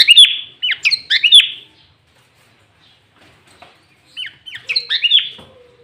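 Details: Loud, clear Sooty-headed bulbul 'gacor' song with green leafbird fill-ins, used to lure and provoke rival bulbuls; two rapid bursts of bubbly, down-slurred chirps, each lasting under two seconds, with a quiet pause between them.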